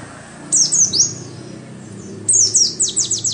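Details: Oriental white-eye song played as a lure to get caged birds singing readily; two bursts of high, thin, fast-falling chirps and twittering notes separated by a quiet pause.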